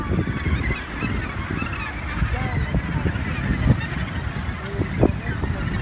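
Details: Breeding colony of Australasian gannets at Muriwai Beach, New Zealand: rough, honking calls from several birds overlap in a continuous din, over a low rumble of wind.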